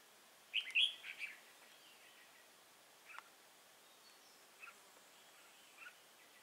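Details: Red-whiskered bulbul recorded while being trapped with a decoy bird at Nuông Dăm on 6 May 2018: a short burst of bright, warbled whistles, then a few faint, scattered chirps over a quiet outdoor background.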